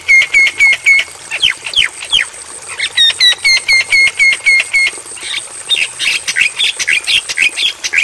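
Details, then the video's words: Javan myna training recording for night playback to caged birds: steady run of bright clipped notes, some whistles sliding down, then a burst of harsh rapid chatter. "Masteran Bagus Untuk Burung Jalak Kebo"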